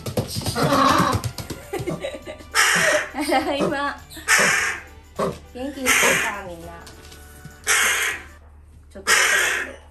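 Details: Excited calls from a pet crow greeting its returning owner at home: loud raspy caws spaced about every one to two seconds, after a stretch of a woman's voice and music in an indoor room where a penguin also lives.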